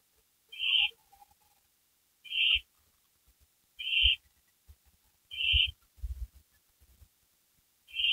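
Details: Hoarse, hissing owl screeches roughly every one and a half seconds, five short bursts, with faint bumps and thuds around them; one of a pair of owls that returned to a porch just after midnight on May 3, 2012.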